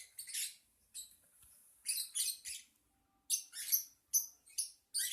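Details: Lovebird call: scattered bursts of shrill, scratchy chirps separated by short silences, some notes double, a few sharp high squeaks at the end.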